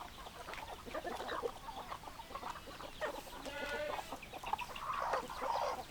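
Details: Chickens clucking together, a busy stream of overlapping short clucks, with a drawn-out harmonic squawk near the middle and louder bursts of clucking toward the end.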